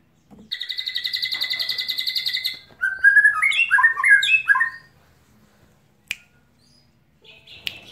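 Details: White-rumped shama of the Medan type, North Bali line, giving a drawn-out cililin trill of fast repeated pulses for two seconds, then a tumbling run of sweet whistled notes, a single sharp click and a soft later phrase.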